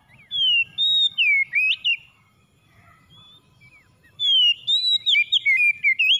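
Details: Oriental magpie-robin, called kacer, singing to encourage a stressed bird that has stopped singing. Two loud phrases of whistles sliding up and down frame a quiet two-second gap with soft low background murmur.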